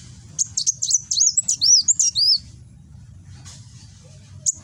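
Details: Kolibri Wulung sunbird singing 'nembak' in Gresik, East Java, phone recording; a fast run of piercing chips grows into looping high whistled slurs for about two seconds, followed by quiet and a single closing note.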